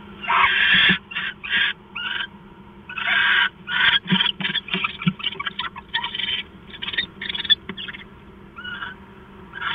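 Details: Owl pair arriving at the nest at 5:43 in the early morning of 4 September 2013 for bonding, making harsh, broad hissing bursts in an uneven run of short and longer blasts with brief gaps.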